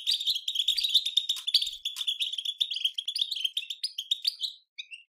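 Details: European goldfinch song in the batbata style, used to stimulate goldfinches to sing: a dense, fast stream of bright twitters and buzzy trills, nearly unbroken for four and a half seconds, then a few short separate rising notes.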